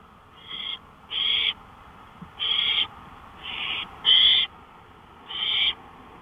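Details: Owl calling from a porch in the early hours of May 5, 2013, at 1:53 AM: six rasping, breathy screeches, each under half a second, spaced about one second apart against quiet night noise.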